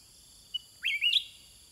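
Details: Sooty-headed bulbul answering wild birds: a soft click, then one loud, liquid phrase that sweeps upward and wavers in two parts, over a faint high insect hum.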